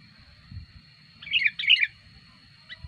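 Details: Sooty-headed bulbul lure song, lively when wild birds come near: one quick bubbling two-part warble with rich chortled notes, followed by a faint distant chip, over a soft low rumble.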